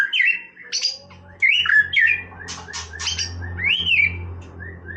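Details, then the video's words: White-rumped shama singing casually, a loose string of bright looping whistles and short chips spaced irregularly, over a constant low hum. "นกกางเขนดงร้องเล่น Shama Bird"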